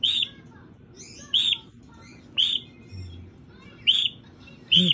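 A cockatiel gives loud, arched whistled calls, repeated at uneven intervals about once a second.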